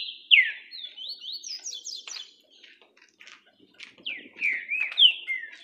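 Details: Green-winged saltator singing in orderly fashion: loud, clear whistled phrases of slurred, downswept and upswept notes, strung in quick bursts with a short pause midway, then resuming with rich falling whistles.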